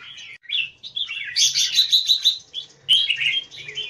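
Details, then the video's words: Red-whiskered bulbul (jambul) kept in Singapore style, opening its tail in an eagle-wing display. A lively run of sharp whistled and chattering notes that rises into a loud trilled burst, then a bright clipped ending. "JAMBUL - สิงคโปร์เลี้ยง นกหัวจุก - TSUNAMI - OPEN TAIL KEKE - PLAY EAGLE WING SYTLE"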